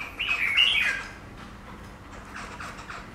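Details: Caged Chinese laughingthrush (Garrulax chinensis) placed before a glass pane, reacting to its own reflection; a loud whistled, warbling phrase in the first second, followed by softer, fainter chattering notes in a small room.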